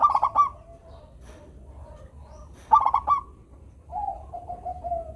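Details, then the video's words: Local zebra dove, perkutut, in full melodious song for stirring lazy doves: two brisk stuttering coo phrases, the second followed by a long, drawn-out lower coo. "perkutut lokal gacor suara merdu - bikin bunyi perkutut yang malas manggung"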